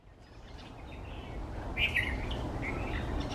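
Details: White-browed bulbul, one of a pair, feeding on berries in banyan and neem trees at an office complex early in the monsoon season; a short bright chattering burst mid-clip over steady low rumbling background noise.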